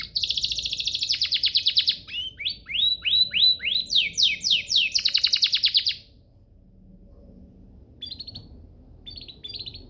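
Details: Canary master song for training: dense high trill, then a run of rising-falling whistled notes and another rolling trill, followed by near silence with a few faint short notes.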